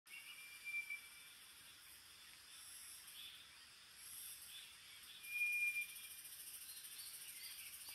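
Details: White's thrush parent raising nestlings near fledging in a moss nest in green forest gives two thin, level whistles, each under a second, about four seconds apart, over a steady high hiss of insects.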